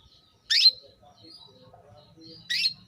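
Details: Caged female canary calling to stir a male into breeding: two loud, sharp, sweeping chirps two seconds apart, with soft low murmuring between them.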